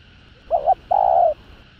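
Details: Provoking call of a spotted dove for rival males: a short wavering hoot followed after a brief gap by a longer, even mid-pitched coo, against a quiet steady hum.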